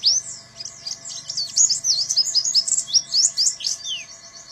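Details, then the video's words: Buxton's white-eye delivering canary-imitating bursts (tembakan kenari): a continuous, fast, high twitter of varied chirps and slurred notes, with one lower falling whistle near the end. "BURUNG PLECI BUXTONI (TEMBAKAN BURUNG KENARI)"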